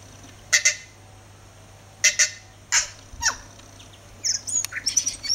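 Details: Tui singing outside a house all day: separated phrases of sharp, ringing high notes and clicks, a few per phrase, ending in a quicker run of varied whistled notes, with a faint low hum behind.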